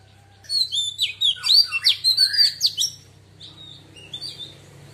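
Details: Wild-voiced song of a female Oriental magpie-robin, sung to stimulate males: an energetic string of about ten sharp, sweeping whistles and chirps over two and a half seconds, fading into softer notes and a background hum.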